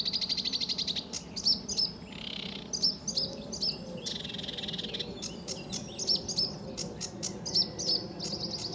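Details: Singing sedge warbler, early July 2013 morning at RSPB Fowlmere under blue skies: rapid chattering, drawn-out buzzes and sharp ticks tumble together in an uneven, energetic sequence.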